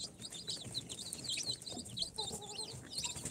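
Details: Day-four incubator chicks of Sultan, Golden Sebright, Cochin and booted breeds cheeping in high, scattered notes, joined late by a short, lower, tonal bleating call.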